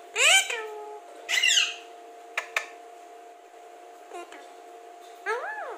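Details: Alexandrine parakeet, a talking parrot said to speak very clearly: two loud, harsh, arched voice-like bursts early on, then scattered clicks and a final rising-falling harmonic utterance, over a steady low electrical hum.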